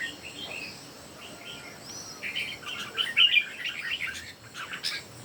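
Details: Three red-whiskered bulbuls in song competition: quiet scattered notes at first, then a dense, jumbled run of lively warbled phrases building in the second half, amid steady background hiss.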